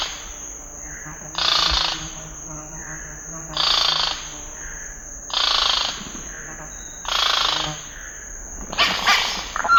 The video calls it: The sound of a scarlet-rumped cacique